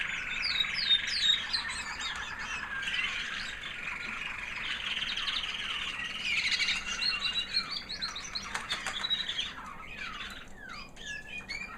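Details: Post-molt song of a female American Singer canary, a white hen that bred the previous year: high, sweet twittering phrases with rising and falling whistled slides, rapid trills and a few sharper chirps near the end.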